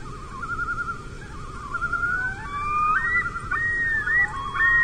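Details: A mating pair of common loons on Lake Vermilion, abandoning their nest and fourth egg on a small rocky island after bald eagles flew over, summer 2024. Long wavering, mournful tones climb and waver, with two overlapping voices rising toward the end over a low background hum.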